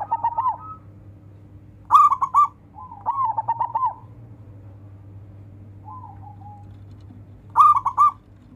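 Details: Local zebra dove calling rivals to sing, used as a training recording: mellow, trilling coo phrases near a single pitch, stuttered then drawn out, repeated every one to three seconds, with a soft quieter phrase between and a steady low background hum.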